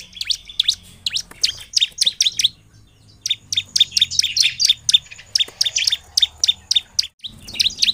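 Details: Loud, fast song of a bar-winged prinia, meant to trigger singing in lazy prinias: dense rattling chains of high chirps with a short gap near the third second, the notes at times overlapping in a busy, chattering rhythm.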